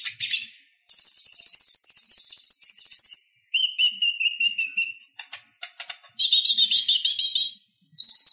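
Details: Purple-throated sunbird (konin) singing tutor song for kolibri ninja; rapid trilled whistles, a long wavering high trill, a lower sustained warble, then buzzy clicking bursts and fast repeated chips, clean background.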